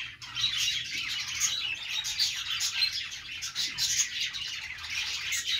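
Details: Budgies singing on their perch give a lively, even warble of chirps and thin whistles, a few louder squeaks standing out from the steady chatter.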